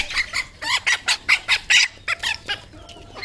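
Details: Decoy red junglefowl calling: a fast run of about a dozen loud, harsh, clucking notes in uneven rhythm, several per second, with a quieter, broken tail of clucks toward the end.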